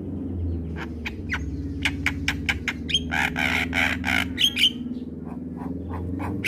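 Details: Javan myna chattering in lively song, a recording made to train and stir other mynas: rapid harsh chips, a dense rasping burst midway and whistled notes, with a constant low drone behind.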